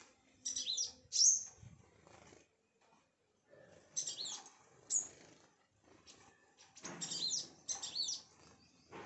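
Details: Sunbirds around a home giving scattered bursts of sharp, squeaky, very high twitters separated by short silences.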